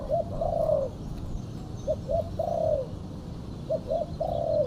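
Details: Female spotted dove's luring call: two quick short coos followed by a longer, slightly falling coo, each phrase repeated about every 1.7 seconds against constant low background rumble.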